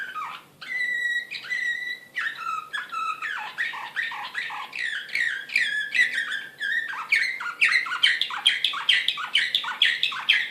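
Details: Serbian Slavujar canary in Belgrade, 2016, excited, opening with clear sustained whistles, then shifting into quick, accelerating strings of sharp downward-swept notes that grow louder toward the end.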